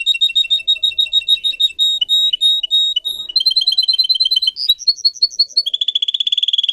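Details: Pet singer canary used for song training, delivering rapid high trills of repeated chirps, switching between several tours: fast rolling notes, steadier whistled notes, then a lower dense trill near the end.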